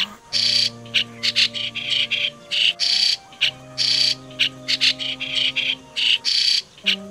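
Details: Lure recording of migratory white-cheeked starling for trapping birds: a long sequence of scratchy, broadband squawks and short chips, repeated in clusters, above low sustained droning tones.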